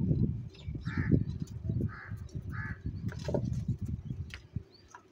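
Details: Crows fighting for food and eating cheese: three harsh caws about a second apart, followed by scattered clicks, over continuous low rumbling and thumping.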